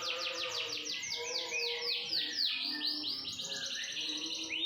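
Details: Canary song made of quick descending sweeps repeated about four times a second, shifting midway into a higher, buzzier trill and ending on a thin rising whistle.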